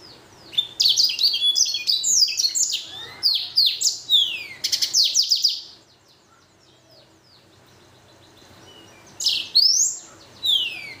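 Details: Blackthroat and canary cross-bred finch in full song: a rapid tumble of high chirps and sliding whistles for about five seconds, a silent stretch, then a few more bright sweeping notes.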